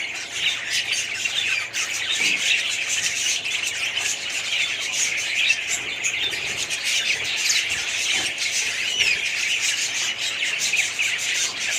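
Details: A budgerigar colony keeps up nonstop twittering, many birds' high chirps, squeaks and warbled notes overlapping in a dense, even chorus.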